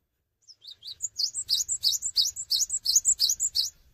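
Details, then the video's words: Cinereous tit giving persistent song without hopping: soft lead-in notes, then a rapid, even series of sharp, high, swooping double whistles over a faint low rumble in the background. "GELATIK BATU GACOR TANPA LOMPAT"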